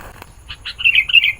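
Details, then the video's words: Sooty-headed bulbul in full song, used to call in wild bulbuls: a brief run of bright, warbled notes rising into a quick chattering flourish. "Suara Burung Kutilang Gacor, Memanggil Kutilang Liar"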